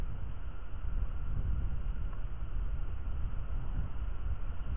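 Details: Steady low rumble of engine or traffic noise fills the recording, with no animal voice.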